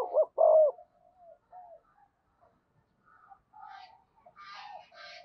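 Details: Decoy spotted dove cooing to lure wild birds: a short, loud, throaty coo phrase opens, then quieter, higher chirping and twittering notes follow.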